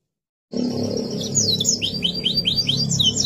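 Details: Canary song used as a tutor recording for young birds. Quick, high, downward-sweeping notes repeat about three times a second over a steady low rumbling background.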